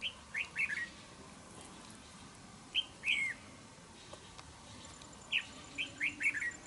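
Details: Wild-caught red-whiskered bulbul used as a fighting decoy in a trap, said to have a fine voice and be very fierce; three bursts of short, bright, slurred whistled notes, three to four notes each, with quiet pauses between and faint background hiss.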